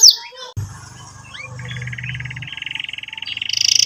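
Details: Canary song used for tutoring young canaries and restarting silent ones: a brief sweep, a short pause, soft chirps, then a growing buzzy trill over a low hum.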